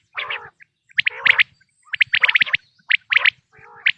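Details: Quail voice for hunting, 2026 season: clusters of bright rapid chirps mixed with a few lower, buzzy, gargled notes, grouped in short bursts separated by brief silences.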